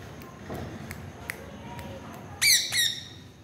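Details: Soft ticking clicks lead into two strident, harsh squawks close together near the end, voiced by a parrot conversing with its owner.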